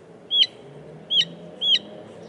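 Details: Northern mockingbird giving three identical whistled notes, each a quick downward slur with a sharp upper edge, spaced roughly two-thirds of a second apart over a quiet background.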